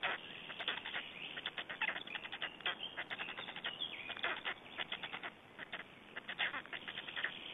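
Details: Feeding time for black storks in Estonia on 21 May 2012, with dense runs of scratchy, rasping bursts coming several per second in quick clusters, a brief quieter pause, then more rapid harsh calls over constant hiss.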